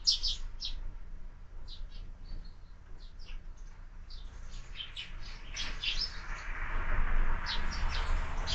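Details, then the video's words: Sparrows feeding at a window feeder in the morning; sharp chirps come in loose succession, and a rushing noise swells toward the end. "Воробьи в кормушке - Утро"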